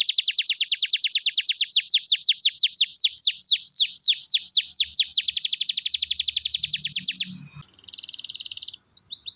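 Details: Lure recording of a singing canary for canaries that fall silent: long series of high, quick descending sweeps changing speed between phrases, then a brief buzzy passage and a short dull thump before a final note.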